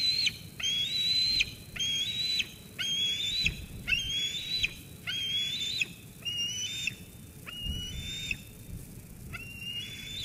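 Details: Young eagle at Sauces Canyon on 13 June 2021, squeeing at its mother after a food delivery until she leaves. Eight loud, steady, high whistles in a regular series, each held briefly, then ending in a quick downward slur.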